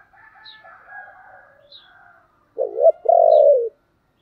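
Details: Spotted dove with the 'thổ' voice, giving urging and calling coos. Soft, hoarse, mid-pitched calls and a high chirp open the recording. A loud low phrase follows: a doubled note, then a long, sustained coo.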